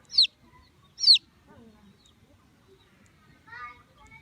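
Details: Baby chicks chirping: two loud, high, sharply falling peeps about a second apart, followed by quiet murmuring and a softer, lower chirp near the end over faint background noise.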